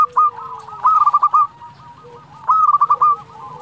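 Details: Local zebra dove, a keen singer, cooing to make rival birds respond: long runs of rapid bouncing coo notes in two main bursts, with other doves cooing softly behind.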